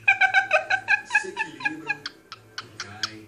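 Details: Pet cockatiel, a male, indoors, giving one of its typical songs: a string of evenly spaced, nasal, harmonic notes about five per second, ending in a few sharp, high chirps.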